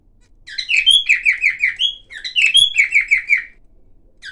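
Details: Singing silver cockatiel producing various sounds: two phrases, each a high twittering start followed by a row of five or six quick downslurred chirps, separated by a short gap and ending in quiet.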